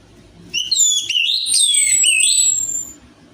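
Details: Orange-headed thrush song played as a lure to get a reluctant thrush to sing: one rich, fast warbled phrase of high whistles and slurred notes lasting about two and a half seconds over a faint low hum.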